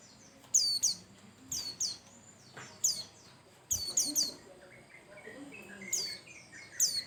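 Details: Lively song of a Bustomi white-eye, played to prompt other birds: bursts of two or three bright, steeply falling chirps recurring about every second, with a soft, slightly lower warbling phrase in between.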